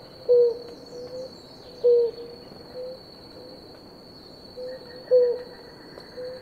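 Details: A pair of blue ground doves drinking water; short, low hooting 'woop' notes roughly one every one to three seconds, over a steady high insect drone.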